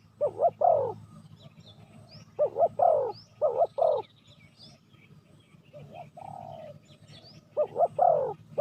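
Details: Spotted dove lure call for wild doves: repeated three-part phrases of two quick hoots and a longer throaty coo, in bursts about every 1.5 seconds, plus a single drawn-out coo, with faint high bird chirps in the background.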